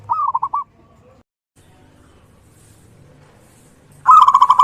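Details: Zebra dove (Geopelia striata) calling in the morning: two bursts of soft, rapid, rolling coos, mid-pitched, about four seconds apart, with a quiet pause between them.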